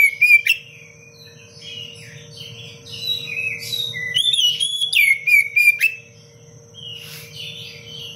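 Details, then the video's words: Oriental magpie-robin (kacer) in the 'cengkok rapat pedas' style, recorded as masteran. Loud chirps open the passage. Quieter warbles follow, then a run of strong level and falling whistles in the middle, over a steady hum. "Kacer gacor cengkok rapat pedas untuk masteran"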